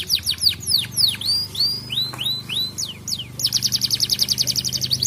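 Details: Canary song meant to prompt other canaries into singing: clear descending and upward-curving whistled sweeps in a varied series, then a rapid high buzzing trill to the end.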